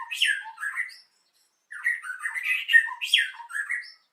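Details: White-rumped shama singing in the morning, used to lure other birds: loud varied phrases of rich whistles and harsh squawky notes in two bursts separated by a short pause.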